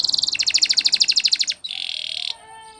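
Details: Spanish Timbrado canary song: a quick run of evenly repeated bright notes about fifteen per second, then a dense buzzing roll, ending in a faint, soft warble.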